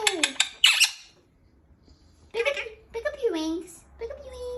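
A rose-ringed parakeet talks in shrill, squeaky bursts of mimicked speech, with quick falling-pitch syllables separated by short pauses.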